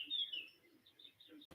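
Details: Birds sing outdoors in the morning with high, thin chirping phrases and scattered short notes; frogs are also calling nearby.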